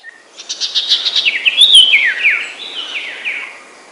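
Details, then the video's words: Common Iora (cipoh) singing the song style called sertu, used as a training recording for songbirds: a quick run of bright, evenly repeated chirps that slides into warbled, descending whistled phrases and fades out. "Masteran Suara Cipoh Sertu"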